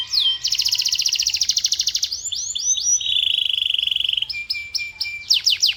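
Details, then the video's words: Loud canary song in varied tours: a fast rattling trill, rising slurred notes, a long buzzy roll, a steady whistled note and quick descending chips at the end. "The Ultimate Canary Bird Attraction!"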